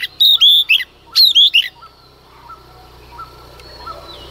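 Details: At first light a female Oriental magpie-robin sings to excite males. Two loud bursts of clear whistles mixed with buzzy, chattering notes are followed by faint repeated short calls and low background rumble.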